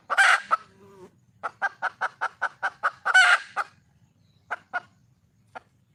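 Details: Female red junglefowl calling to attract a male opens with a harsh, noisy squawk. A fast series of about nine clipped clucks follows, then a second squawk and a few sparse, fading clucks.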